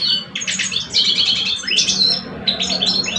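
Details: Algerian caged goldfinches, two males, one old and one aged two, compete in song: rapid metallic chattering and buzzy trills, broken by a sharp rising slur near the middle.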